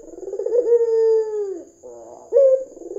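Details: Red-eyed white dove, used as a lure to prompt doves to call: a burbling coo leads into one long, steady low note that fades downward, then a fresh rolling coo starts, with a thin constant high whine behind it.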